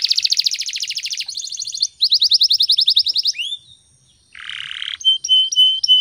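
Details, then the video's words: Canary singing in the morning, meant to encourage other birds to sing: fast buzzy trills, a pause, a rising whistle, then a low churring roll and short high repeated notes. "PANCINGAN SUARA BURUNG KENARI GACOR PAGI HARI"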